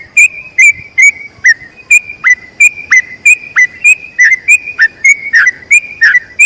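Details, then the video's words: Yellow-vented bulbul singing a long 'ropel' phrase for tutoring other bulbuls: quick, bright whistled notes alternating with short downward slurs, about three per second, growing slightly busier toward the end. "BURUNG TRUCUKAN ROPEL PANJANG UNTUK MASTERAN TRUCUKAN LAIN"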